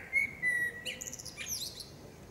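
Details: Female common blackbird in a forest, giving a brief clear whistle followed by a burst of thin, high, scratchy twittering.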